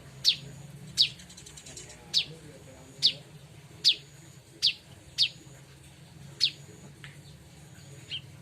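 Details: Bar-winged prinia used as a lure sound for trapping its own kind: sharp, high, downward-slurred chirps about nine times in eight seconds, spaced roughly every second, over a faint low hum.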